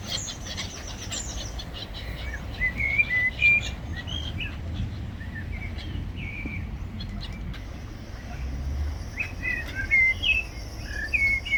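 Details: Gulls fighting over food: clipped, bent squawking notes given in irregular rapid runs, several birds calling over one another, with a steady low rumble underneath.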